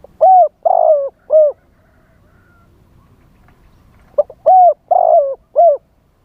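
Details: Decoy spotted dove luring wild doves with wild-style song: two repeated phrases about three seconds apart, each a brief lead note and three deep, smooth coos, the second coo drawn out and falling.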